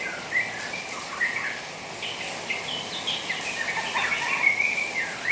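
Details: Young, moulting white-rumped shama, a kept bird, chattering in response to the sound of rain water: rapid scratchy twittering and short slurred notes run together over a steady hiss of rain.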